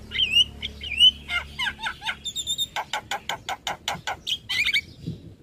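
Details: Tutor song of a Javan myna for young birds: two upward-curling whistles, then scratchy notes, then a fast, steady series of about a dozen harsh rasping pulses, ending in twittering.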